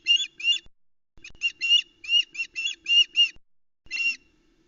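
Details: Adult female osprey on the edge of the Loch Arkaig nest with chicks, shouting after the male arrives with a large trout, July 2020 morning: loud, strident, repeated yelping notes in uneven groups, ending with one isolated call, steady low hum underneath.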